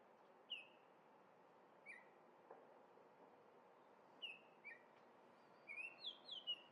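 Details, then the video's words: Orioles singing while feeding on grape jelly in Minnesota: scattered short whistled notes, some slurring downward, with long pauses, then a quicker burst of rising and falling whistles near the end against a low outdoor hiss. "Orioles singing and eating grape jelly!!"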